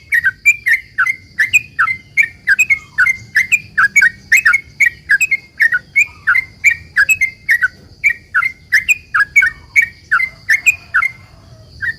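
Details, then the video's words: Sooty-headed bulbul pouring out a long string of short whistled chirps, each dipping then rising, evenly repeated about three times a second, sung as a lure to make other bulbuls reply; faint steady hum beneath. "trucukan gacor ROPEL PANJANG ini buat pancingan trucukan agar bunyi"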